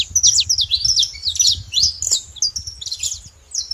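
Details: Free saffron finch in nature pouring out rapid high chirps and short trills in a hurried phrase, loud at first then softer, over faint low noise.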